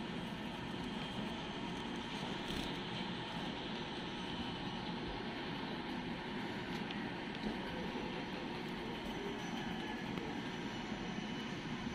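A steady broadband rumble like a moving train or vehicle, with no animal voices.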